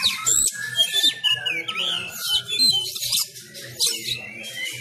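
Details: Kacer sumatra, an Oriental magpie-robin, trained at home during Covid-19 restrictions, sings loudly in fighting style: piercing whistles, downslurred notes and rasping chatter, with low rhythmic thumping behind.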